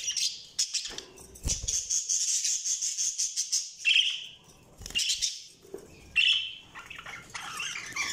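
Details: Budgerigars chirping: a stretch of rapid, buzzy pulsed chatter, then separate sharp chirps and squawks with brief gaps and some clicking sounds.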